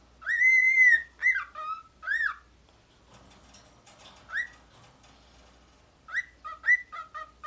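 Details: A 13-year-old male pet cockatiel kept in a cage, skilled at imitating a warbler, gives clear, bright whistles, some rising and some falling, in short bursts with soft chatter between.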